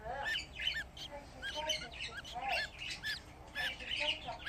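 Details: Budgerigar chicks, fifteen together in one spot, giving clear, separate arched chirps repeated in quick uneven bursts, fairly quiet overall.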